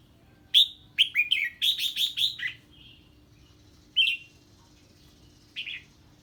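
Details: A red-whiskered bulbul answers an unfamiliar bird with a lively 'ché' song: a strong whistled note then a fast run of about seven bright, falling notes, followed after pauses by two single whistled notes.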